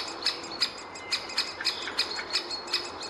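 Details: Great spotted woodpecker at the nest hole, nestling and parent present: sharp, high, clicking notes repeated about three times a second, each with a thin squeaky tone, steady in pace.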